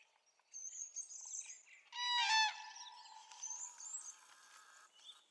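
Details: Dawn chorus on 3 April 2016 where a crane gives a short, loud, ringing harmonic bugle in the middle, surrounded by high twittering and whistled songs of many small birds.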